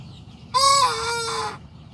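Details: Young Sanjak cockerel just starting to crow: a single loud, slightly hoarse crow of about one second, a bright opening note that rises briefly and then holds a long, gently falling tone before it stops abruptly, over faint low background rumble.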